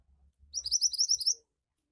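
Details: Mantenan, the Javan white-eye, delivers a quick run of sharp, high-pitched twitters, about ten notes packed into under a second, preceded by soft low thumps.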